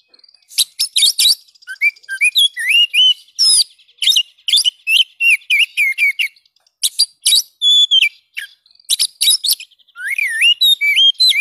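An Oriental magpie-robin sings a rich, varied run of clear whistles, slurred rising notes and harsh buzzy bursts in quick phrases with short pauses.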